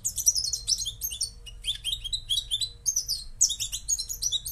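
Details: Moroccan goldfinch singing in energetic bursts of tinkling, slurred chirps and trills, each phrase about half a second, repeated with brief gaps; quiet low hum.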